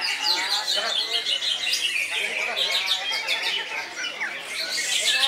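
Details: Greater green leafbird pouring out a rich, nonstop song: crowded high chirps, rapid trills and squeaky mimic-like notes run together at high volume.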